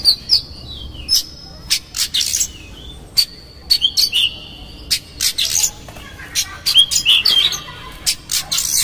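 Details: Oriental magpie-robin lure singing, konslet style with rough fill, to make magpie-robins agitated and open their tails: scattered clear high whistles and many short harsh, noisy clicks and rasps in uneven bursts.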